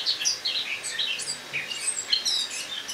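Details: Caged Eurasian blackcap singing its autumn song indoors on the morning of 1 October 2017, after being moved to a kitchen to overwinter; a quick, high, scratchy warble of varied twittering notes runs throughout without a break.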